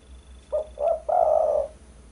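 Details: Spotted dove (derkuku) calling, used as a lure sound for trapping birds: a three-part coo, two short low notes followed by one longer, drawn-out vibrating coo.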